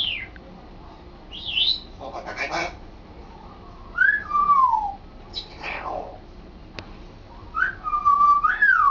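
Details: African grey parrot, a pet male, practising words and sentences; sliding whistles falling in pitch alternate with harsh speech-like syllables and a single sharp click, ending in a long wavering whistle.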